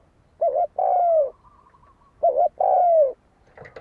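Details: Spotted dove used as a fighting lure, giving its coo twice: a short double note, then a drawn-out descending coo, with a pause of about a second between phrases.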